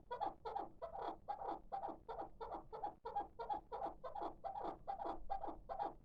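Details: Young hybrid chukar partridge, six months old, calling in a rapid, even run of hoarse clucks, close to three a second, with a low background rumble.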